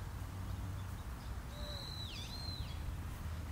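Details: Long-eared owl, a parent with young on Tsushima, Japan, gives one thin, high, squeaky whistle that wavers and dips before levelling off, over a steady low rumble.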